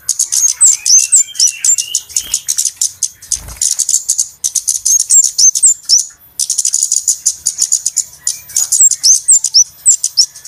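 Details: Flowerpecker calls recorded as a trapping lure, busy and loud: long dense trains of rapid, high, dry ticks with scattered thin upswept whistles, broken by a brief pause midway.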